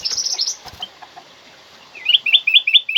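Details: Black-crested bulbul (kutilang emas) voice, loud and clear, meant as a tutor and lure for other birds: a quick run of high thin notes, then a pause and a rapid series of short rising-falling whistled phrases repeated about five times.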